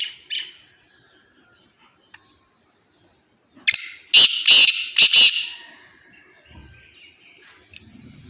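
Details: Black francolin, known locally as kala teeter, recorded at Khushab: two faint high notes at the start, then after a pause a loud harsh grating call of several strong buzzy pulses over about two seconds, with faint rural background.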